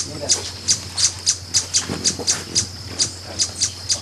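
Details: Repeated piercing chip notes of a Brazilian ruby, high-pitched and clipped, coming at a brisk regular pace of roughly three per second against a quiet humming background.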